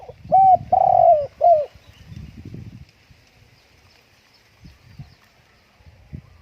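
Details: Spotted dove kept at home on a strongly windy day, giving three loud, low hooting coos in quick succession, the middle one longest, followed by gusty low wind rumble and a few faint knocks.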